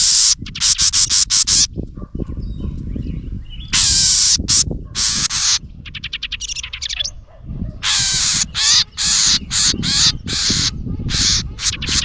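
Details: A house wren scolds angrily at a GoPro placed near its nest: loud, harsh, buzzy rasps in bursts of about a second, broken by quick dry ticking chatters. No other sounds stand out.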